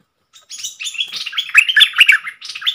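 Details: Red-whiskered bulbul, a bold wild bird answering a caged decoy, recorded 5-6-64: a dense, continuous run of bright chirping, warbled notes, rich and rapid, lasting over two seconds with no other sounds.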